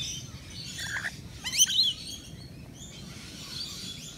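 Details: At a nectar feeder on a balcony, rainbow lorikeets let out a quick cluster of shrill, squeaky upward-sweeping calls midway, preceded by softer twitters and followed by faint high chatter.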